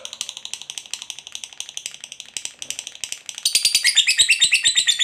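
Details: Caged lovebird, a fighter type, giving a long ngekek chatter meant to provoke other lovebirds into answering: rapid buzzy pulsed notes at steady pace, turning louder and higher with bright warbled elements after three seconds; indoor setting.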